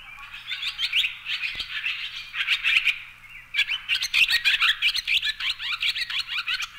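A Barn Swallow sings a fast, chattering twitter of high squeaky notes and dry rattles, running almost without pause.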